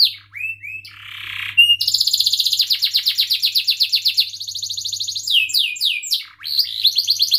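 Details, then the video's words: Gacor canary in full song, used to press opponents and teach young birds: a few rising whistles and a short buzz, then a long run of evenly pulsed rolling notes, ending in mixed sweeping chirps. "Kenari Gacor Cuit cuit Ngerol MENEKAN LAWAN AMPUH utk Pancingan Kenari PAUD belajar Bunyi & MACETAN"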